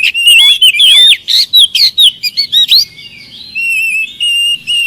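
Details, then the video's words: Oriental magpie-robin in full gacor song, played as a lure for silent birds: rapid bright whistles and swooping slurs tumbling together, followed by softer thin repeated notes and a faint low rumble. "pancingan kacer malas bunyi mudah ikut nyaut gacor"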